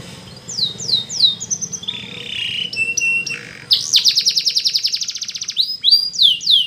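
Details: Canary training song: descending swooping whistles, a warbled mid-pitched phrase, sharp clicking notes, then a long fast rolling trill of evenly repeated notes and closing downward swoops, over low background noise.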